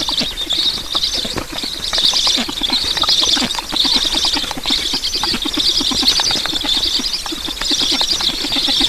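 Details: Feeding time at a black stork nest in Estonia, morning of 9 July 2019. A steady, rhythmic hissing wheeze pulses about once per second, over quick low ticking notes that repeat throughout.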